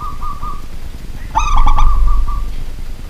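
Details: Local zebra dove, a kept pet bird, singing at night: a quick stuttering cluster of throaty cooing notes followed by a long, steady, level coo trailing off, with low background hum.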